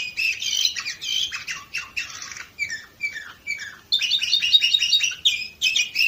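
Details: Orpheus-type canary singing, recorded in Varna, Bulgaria, in 2018: a fast run of buzzy, rattling trills between 2 and 8k, breaking into brief pauses and then a bright, dense trilled phrase near the end.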